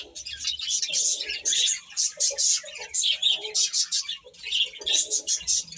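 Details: Chicks chirping in pulsing waves of high peeps, with faint lower voice-like sounds mixed in between the bursts.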